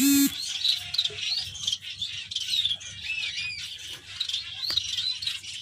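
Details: Several finches chirp and twitter continuously in a dense, overlapping chorus of high, thin, quick notes, with short rising and falling squeaks throughout; a brief loud electronic tone sounds at the very start.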